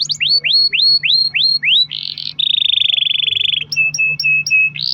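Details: Canary singing long rolls to lure other canaries: six rising whistled swoops, a short buzz, a long even trill, then clipped high notes with a steady tone, over a faint hum.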